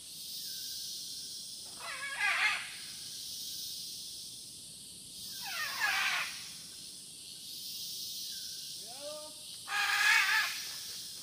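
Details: At a nest with a baby great green macaw back inside and its parents nearby: three harsh, rasping calls about four seconds apart, one ending in falling nasal tones, over a steady background hiss.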